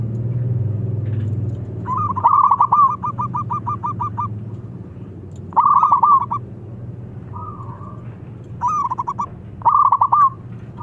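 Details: Crystal-voiced wild local zebra dove that summons rivals: bursts of quick, stuttering, pulsed coos repeat several times, with a brief smooth coo between them and low-pitched droning noise underneath.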